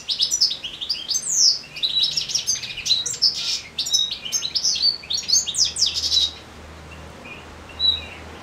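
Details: In late summer, a European goldfinch in moult sings a continuous rapid stream of bright, liquid twitters and trills for about six seconds, then falls mostly silent apart from one last chirp.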